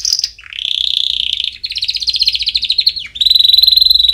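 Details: Canary song for training young chicks: a high whistled note, then sustained rapid trills and a bubbling rolling phrase, ending in a pure steady trill rich in overtones.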